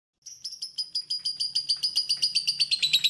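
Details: Lovebird singing clearly with pauses, kept as a training recording for songbirds: a run of sharp, high, ringing chirps at about four per second. The chirps grow louder and slightly quicker, with no other sounds.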